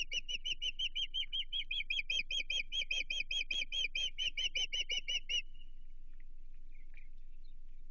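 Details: On 15 June 2023 at a Chesapeake osprey nest, a bird responds to an intruder with a rapid run of sharp, whistled chirps lasting about five seconds, after which only a faint hum remains.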